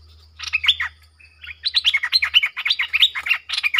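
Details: Streak-eared bulbul acting as a decoy for wild birds gives a brief opening phrase, then a steady rush of rhythmic chattering notes, each a quick down-slurred chirp, repeated several times a second; low hum beneath.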